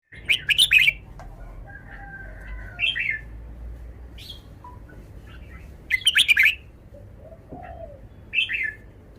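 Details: Red-whiskered bulbul showing off its song phrasing: short, bright bursts of chirpy notes repeated every few seconds, with softer thin whistles between them, over a low background hum.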